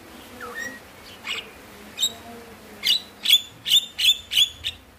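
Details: Javan myna giving a run of harsh, high, clipped notes, about six in quick succession after softer whistles and chirps; used as a lure to prompt quiet or stressed mynas to sing.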